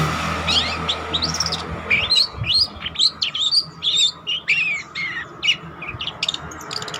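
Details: Long-tailed shrike, spotted type, in vigorous song meant for luring or training other birds. Irregular high chirps, upslurred whistles and scratchy notes come about twice a second over continuous background hiss and a low hum.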